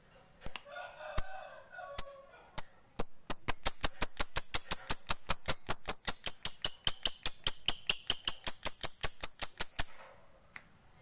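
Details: Lovebird ngekek panjang chatter, used as a lure for other lovebirds: a few spaced high chirps, then a long, fast run of sharp, ticking, whistly notes lasting about seven seconds.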